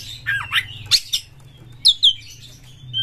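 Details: Fierce Oriental magpie-robin in song meant to provoke other birds into singing: wavering whistles, then sharp harsh squawky notes and bright descending whistles over a low steady hum.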